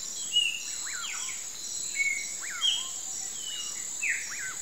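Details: At sunset near running water, a Common Pauraque gives slurred, rising-then-falling whistles about every second and a half, over a steady high insect drone.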